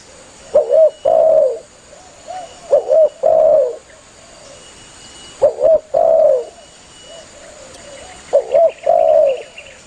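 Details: Spotted dove calling its companions, a lure for hunting doves: repeated low phrases, a short paired coo followed by a long falling coo, four times, with faint answering coos and a light high hiss behind.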